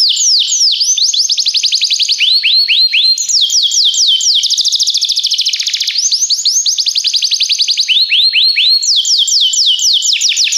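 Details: Belgian canary in continuous song for training purposes: ten seconds of bright, high, rapidly repeated whistled sweeps and fast trills, changing phrase every second or two without pause.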